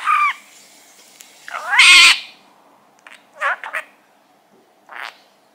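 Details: Caged three-year-old male budgerigar kept indoors in Mie Prefecture, Japan: a sharp opening chirp, a loud harsh squawk, then quieter scratchy chattering notes spaced a second or more apart.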